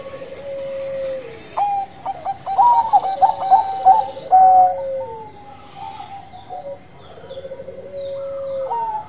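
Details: Bangkok perkutut, a zebra dove, singing: a low falling coo, then a rapid run of loud, sharp, ringing notes, followed by quieter trilled coos and another falling phrase.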